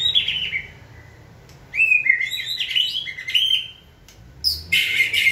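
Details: Shama trained to sing on cue, delivering loud, varied song: rich warbles and rising and falling whistled notes in quick bursts, with a short pause between phrases.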